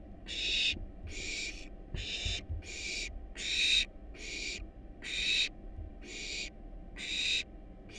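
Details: Wild barn owl nestlings in a monitored nest box, hungry while being fed a rat and a rabbit: loud, harsh hissing screeches repeated about every 0.8 seconds, ten rasping bursts with a low rumbling hum beneath.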